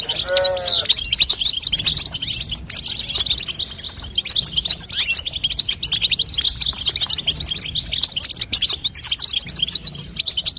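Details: Female European goldfinch chattering call, used to stimulate a young goldfinch to sing; a dense, unbroken stream of high tinkling twitters and trills, opening with a brief lower harmonic squeak.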